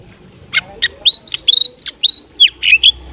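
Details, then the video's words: Oriental magpie-robin, a fighting bird with mastered song fill: a short burst of sharp clicks and chips followed by bright, clipped whistles and quick downslurred notes. "suara kacer petarung bongkar isian gacor full masteran"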